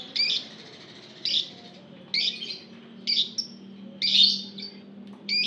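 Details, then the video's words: Group of lovebirds (ombyokan) calling, used to prompt other lovebirds to sing: short harsh chattering bursts about once a second, separated by quiet gaps, over a low steady hum. "PANCINGAN SUARA LOVEBIRD OMBYOKAN | LOVEBIRD LANGSUNG BUNYI"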